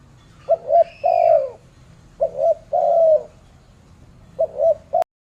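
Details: Spotted dove in Malaysia gives its low, mellow cooing phrase: a short double coo followed by a longer drawn coo, repeated three times, about once every two seconds.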